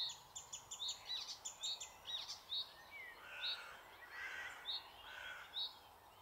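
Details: Icterine warbler singing in a small wood in the Alblasserwaard, Netherlands: a run of varied, sharp chirping and squeaky notes with slurred phrases, followed by short separated whistled notes repeated roughly every second.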